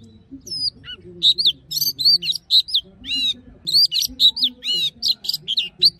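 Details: Song-training recording of an Oriental magpie-robin's wild-style song: rapid series of bright arched whistles and chirps, repeated in quick bursts, with a faint low hum beneath.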